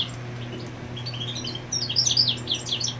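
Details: Territorial European goldfinch near a nesting female, giving soft scattered notes that build into a brighter burst of tinkling, high chirps in the final second, over a low electrical hum.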